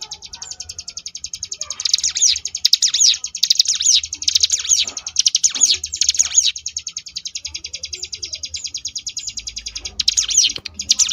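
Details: Extended ngebrem song from a Sunda bush warbler (ciblek gunung): a long, unbroken rattle of high rapid notes, with bursts of loud sweeping whistles layered over it early and near the end.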